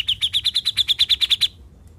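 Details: Besetan-style song of a grey-cheeked bulbul (cucak jenggot), once mute and now a keen singer: a rapid, even string of about thirteen sharp high chirps delivered in under two seconds, then quiet.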